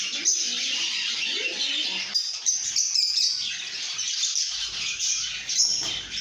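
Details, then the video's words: Lovebirds singing and chirping contentedly, a sign of good mood: an unbroken stream of high, squeaky twitters and sharp chips, with occasional louder shrill accents. "lovebirds singing & chirping sounds"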